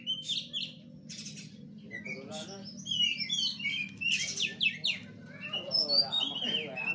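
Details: An oriental magpie-robin sings in the kura kura fighting style, with twittering, slurred whistles and buzzy notes, set against a persistent low hum and murmuring background noise.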